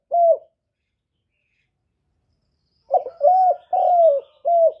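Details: Spotted dove song in the 'hạp bổi' style, used to excite decoy birds for trapping; a lone short coo, a long silence, then a full phrase of a stuttering opener, two drawn-out falling coos and a clipped final note, with no background noise.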